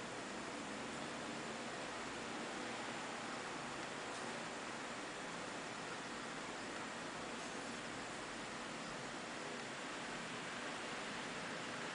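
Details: Steady broadband hiss like rushing water or static fills the whole clip, with no animal voice standing out.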